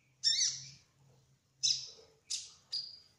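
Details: Kolibri ninja trotol sunbird uttering four loud, harsh high chirps, each with a fading tail, spaced irregularly, over a soft low hum.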